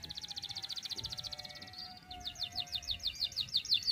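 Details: Canary in full song, a long one-breath performance with sharp bursts, used as a master recording to teach young canaries to sing. Fast high trills of evenly repeated notes, then a brief sustained tone and a faster, louder roll of rising chips. A faint steady hum underneath.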